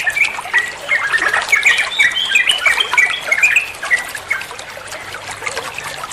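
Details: Sooty-headed bulbul (trucukan) in fast ropel song, recorded as masteran for teaching songbirds: lively run of short bubbly notes, about three per second, loudest early then tapering off toward the end.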